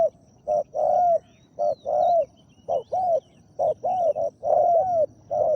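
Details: Spotted dove in Thailand, called during decoy trapping of a wild dove, giving a deep-voiced 'ku-ang' coo: repeated low, hollow coo phrases in short groups of two or three notes with brief pauses, with faint thin calls of other birds in the background.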